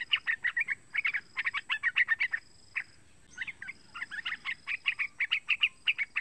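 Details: Young yellow-vented bulbul about three months old, used as a lure to get other bulbuls singing: rapid bursts of bubbly, chattering chirps in quick runs, with brief pauses between phrases and a thin high tone held above.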